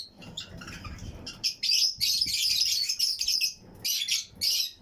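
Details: Colony of Fischer's and lutino lovebird pairs in a flight-cage breeding aviary, with other birds around them: after a quiet start, dense shrill chattering builds into a near-continuous run of high, scratchy chirps with brief pauses.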